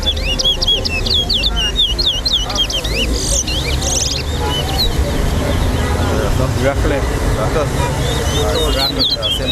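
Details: Towa towa (large-billed seed finch) in a bird singing race at Lusignan bird ground, Guyana, gives a brief burst of fast whistled, looping notes, followed by men talking, low engine rumble and faint chirps later.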